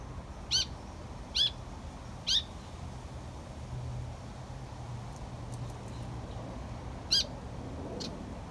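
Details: Young Malaysian pied fantail recorded on 22 July 2022, giving sharp, high single notes, three spaced about a second apart, then a pause before a fourth, over a low rumbling hum like distant traffic.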